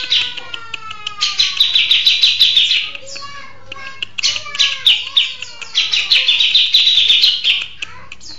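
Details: Long-shot song of a grey-cheeked bulbul (cucak jenggot), settled and singing actively: long runs of fast, high chattering notes broken by clear downslurred whistles, repeated in three main bursts with brief gaps, light background hum.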